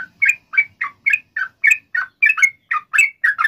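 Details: Sooty-headed bulbul in lively gacor song, long ropel rolling style, used as a lure to get other sooty-headed bulbuls singing back: short bubbly chattering notes, about thirteen in quick succession, each a dip and rise in pitch.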